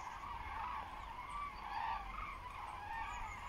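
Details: Common cranes migrating overhead above Frankfurt am Main-Preungesheim, Germany, heading west-southwest on 17 October 2023 at 14:45 under overcast, hazy sky, smartphone recording; overlapping harmonic trumpeting calls form a continuous chorus against steady low traffic rumble.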